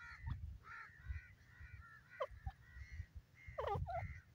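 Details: Grey francolin calling: a series of short, piping notes, some steady and some sharply dropping, repeated irregularly over a low rumbling background.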